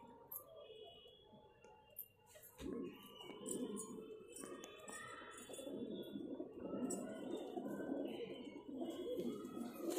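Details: A pair of pigeons: after a few short sounds, a long, low, throaty cooing begins and continues steadily to the end, with faint higher background noise.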